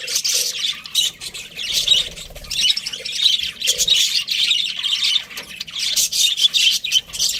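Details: Pet budgerigars, a breeding pair, chirping busily: dense warbled chatter and squawky chirps at high pitch, with short bursts overlapping almost continuously.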